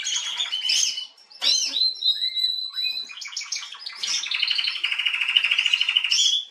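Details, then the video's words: Atlantic canary female, 21 January 2022, giving varied song: buzzy twittering opening, short pause, then sliding whistled notes and a long, steady, rapidly pulsed high trill toward the end. "Kanarengirlitz Canary girl with a very beautiful voice"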